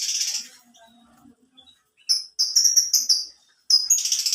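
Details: A canary gives short, high, piping notes in quick succession after a soft opening trill, then breaks into a dense, shrill trill at the end.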